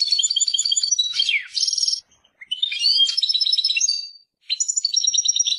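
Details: Persian European goldfinch song, dense liquid twitters and short buzzy rattles with a quick downslurred note, delivered in three bursts separated by brief silences, clean and close.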